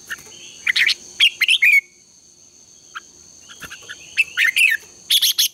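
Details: Red-whiskered bulbul giving morning contest song as a training lure: two clusters of quick, rolling chirped phrases split by a quiet gap, with a steady high tone in the background.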